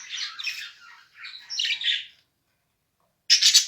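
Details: A mated pair of caged budgerigars chattering: bursts of scratchy, warbling chirps and squawks, a pause of about a second, then a loud harsh burst at the end.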